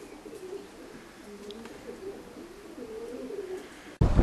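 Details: Three or four pigeons inside an old village dovecote in the Cotswolds, Gloucestershire, coo softly in low murmuring phrases that roll one into the next.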